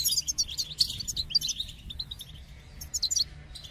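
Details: Goldfinch song with a lively burst of clear, high, sweet chirps and twitters, a quieter gap in the middle, then a short final flourish.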